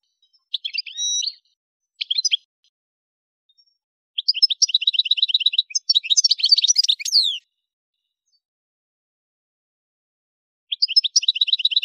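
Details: Song of an Algerian goldfinch from the Souk Ahras area, Kef El Hammam, Algeria: brief chirps and a short buzz open, followed by rapid repeated trilled notes and liquid twittering, a pause, then another trill.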